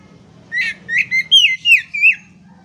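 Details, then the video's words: Oriental magpie-robin (kacer) in full song, used as a training recording for silent birds: five loud whistled, slurred notes with rich overtones, rising and falling, in quick succession over a low steady hum. "KACER MACET TOTAL pasti akan PULIH dan NYAUT dengan dimasteri kacer ini"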